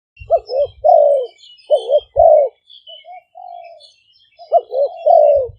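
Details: Spotted doves, two decoy birds of Malay and 'phadphon' strains, recorded live at a dove camp in Roi Et, Thailand, on a smartphone as lure calls: three low coo phrases, each two short clipped notes then a long drawn descending coo.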